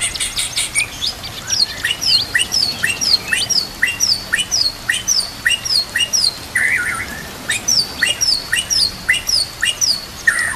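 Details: White-rumped shama complete fill-in song on a training master, with water and nature sounds: a long series of short high chips repeated about twice a second, broken midway by a lower buzzy phrase.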